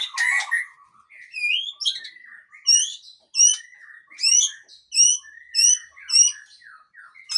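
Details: Murai Aceh, a white-rumped shama described as a tough male, singing a varied run of whistled phrases: sweeping rising notes and sharp high chips, repeated about every half second, with lower warbled notes between bursts.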